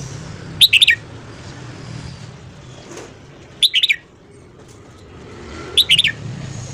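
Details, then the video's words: Red-whiskered bulbul singing in the morning, used for voice training: three short, crisp phrases of four rapid high whistled notes, about three seconds apart, over a steady background hiss and low rumble. "luyện giọng chào mào hót sáng"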